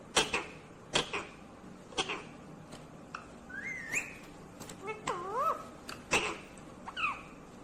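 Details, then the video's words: Indian ringneck green parrot mixing several sharp clicking taps with rising whistled phrases and warbling speech-like syllables, about one sound every second. "Natural Sound of Talking Ringneck green parrot"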